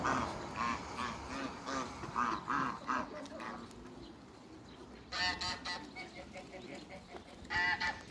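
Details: Mature pair of African geese in a backyard alongside other waterbirds; a run of rapid harsh honks in the first three seconds, a pause, then loud rasping honks at five seconds and again near the end.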